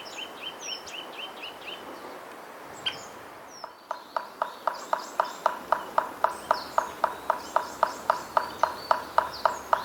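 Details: A White-backed Woodpecker in Hokkaido (subspecies Dendrocopos leucotos subcirris) raps on wood, steady knocks about four a second, slower than a drum roll; thin chirps from small birds come first, with a faint high whine behind.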